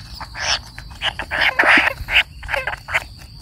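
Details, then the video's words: A young kingfisher calls for its parent while it waits. The begging comes as rough, stuttering bursts, quick and uneven, several clustered per second. A faint steady hum runs beneath. "burung tengkek kayu menunggu induk nya"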